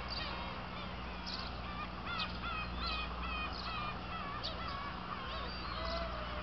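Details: Kabushima black-tailed gulls, 2 August 2012, at a fireworks site: scattered harsh, bending mewing cries from several birds, some rising then dropping, with a constant low hum and hiss beneath.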